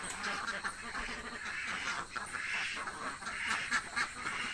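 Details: Village ducks, said to be very hungry, give a steady stream of rasping quacks from several birds together, the calls blending into one noisy chorus.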